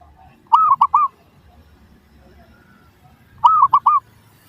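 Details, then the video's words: Zebra dove calling as a lure meant to draw quick replies from other doves: a pair of clipped, looping coo bursts of three notes each, roughly three seconds apart, over a soft low hum. "PANCINGAN Burung Perkutut Suara Paling Ampuh! Bikin Langsung Cepat Di Respons Pasti! Nyaut"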